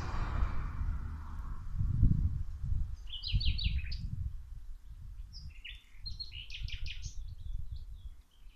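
Small birds twitter in two quick bursts of high, clustered chirps over a steady low rush of running water and outdoor noise.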